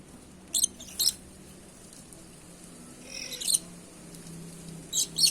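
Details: Sharp, shrill screeches from a red-and-black lory, given in close pairs with a gap between groups, against a soft low hum.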